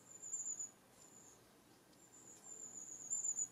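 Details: Long-tailed tit flock contact calls used to stay together while moving tree to tree: faint, very high, thin 'tsee' runs at the start and end, with a quiet stretch between.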